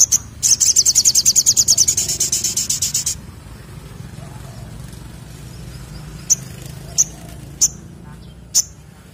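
A sunbird gives a fast, very high, buzzy trill lasting nearly three seconds, then several sharp, thin single notes a second apart, over a low background rumble.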